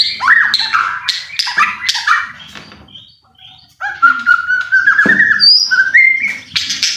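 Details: White-rumped shama song as a provoking lure: bursts of varied whistles and harsh notes, a short quiet pause, then a long steady whistled phrase and high trills.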